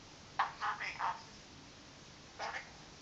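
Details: A princess parrot, apparently scolding its owner's feet, blurts four quick, raspy, speech-like squawks, then pauses and adds one more short burst, against a faint indoor hiss.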